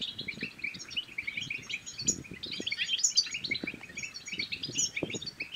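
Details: European goldfinch twittering song, the 'batbata' style, used to stimulate silent goldfinches to sing and to mate. Dense, fast high chirps and tinkling notes run continuously, with soft low thumps and knocks beneath.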